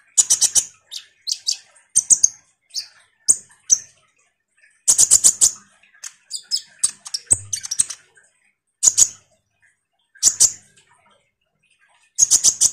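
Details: Common iora in energetic chattering song, used as a lure sound to make ninja sunbirds respond: bursts of sharp, very high chips and short rattling series, in clusters separated by brief pauses.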